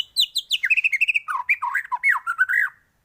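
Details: White-rumped shama giving full-variation song for training other birds to sing; a dense, fast sequence of bright chipping notes dropping into lower, rich warbles and slurred whistles, with no pause.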